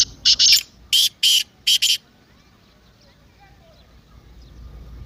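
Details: Partridge call meant to make a silent partridge start calling. It opens with a burst of about six loud, harsh, rasping notes in under two seconds, then fades into quiet background hiss.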